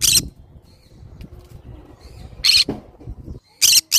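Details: Green-cheeked conure giving short, harsh, shrill screeches: one at the start, another near two and a half seconds, a third toward the end, with quiet low background rumble between.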